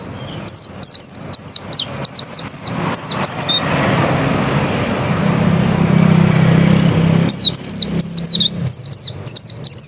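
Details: Oriental white-eye of the dakun type: bursts of very high, thin, rapidly descending slurred notes, in short clusters of two or three repeated about once a second, interrupted midway by several seconds of loud passing traffic rumble.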